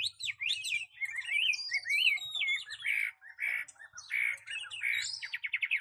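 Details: Competition Chinese hwamei with a fanned tail and large body, performing strongly on the singing stand: rich, looping whistled phrases that rise and fall, broken by short pauses and ending in rapid trilled notes.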